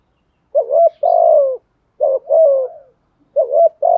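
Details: Repeated low coos from a spotted dove in the Vietnamese 'thúc gù' style, meant to excite decoy birds. Each phrase has a quick upslurred note and then a drawn-out descending coo, three phrases in close sequence.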